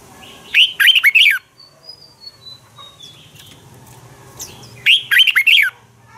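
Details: Red-whiskered bulbul singing its morning fighting song used to train birds; two bright, rapid warbled phrases of several swooping whistles, with a faint descending whistle series and low hum between them.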